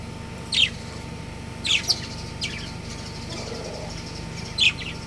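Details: Budgerigars, a breeding pair kept as pets, give sparse bright chirps: four or five short, sharp notes spread over a few seconds, with quiet gaps and a soft background hum.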